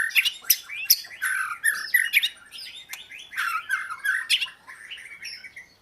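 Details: Oriental magpie-robin song of mixed harsh, squawky notes and sliding whistles delivered in quick bursts, fading out at the end.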